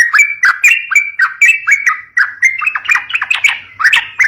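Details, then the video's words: Young-bird lure of a sooty-headed bulbul singing: repeated short whistled phrases with sharp clicks, about two per second, gradually rising in pitch toward the end. "COCOK BUAT PANCING BURUNG TRUCUK MUDA"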